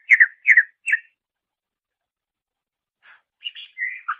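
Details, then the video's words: Master recording of greater green leafbird song for training songbirds: three quick paired chirps, a silent gap, then soft twittering and a drawn-out whistle. "Masteran Suara Cucak Ijo"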